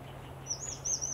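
A Grey-streaked flycatcher gives a thin, very high, wavering squeak lasting about half a second, over a low steady hum.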